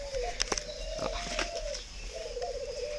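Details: Caged spotted dove, red-billed with yellow legs, at a bird garden in Ba Vì, northern Vietnam: two clear, low, hollow cooing phrases, each a slightly wavering note held about a second, with a few sharp clicks early on.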